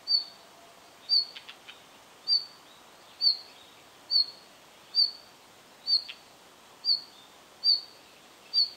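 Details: Red-flanked bluetail giving short high call notes, each a brief sharp 'tic'-like sound repeated about once a second, steady and evenly spaced, with faint background hiss and a few soft clicks.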